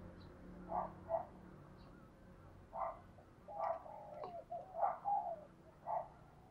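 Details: Caged decoy spotted dove, trained to provoke wild doves, giving quick low cooing notes in loose bursts, several short coos spaced over a few seconds, with faint hiss behind.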